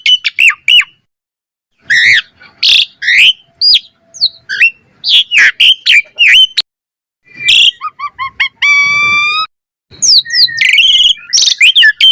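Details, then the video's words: Asian pied starling, singing actively in full variation for lure and song training: bursts of sharp whistles and raspy chips, brief pauses, then a stuttering run and a long harsh ringing note. "Pancingan Jalak Suren Gacor Mompa Full Variasi - Masteran Suara Burung Jalak Cepat Gacor Full Isian"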